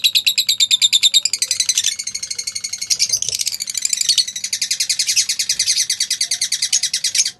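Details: Pale fallow lovebirds giving a continuous, rapid stream of high, rasping chirps, pulsing several times a second without pause.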